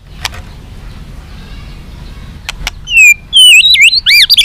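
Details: White-rumped shama song to incite fighting: a few sharp clicks over quiet hiss, then bold looping whistled phrases rising and falling at the end.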